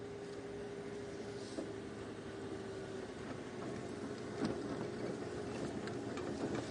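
A vehicle engine idles steadily throughout, with a low drone and faint clicks and rustles, and no clear animal voice.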